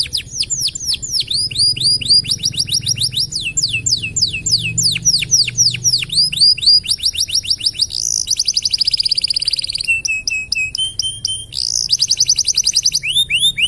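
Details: Singing canary used as a tutor for other birds, a long varied song of fast downslurred whistles, buzzy rolls and short flat tones, changing phrase every few seconds, loud and close.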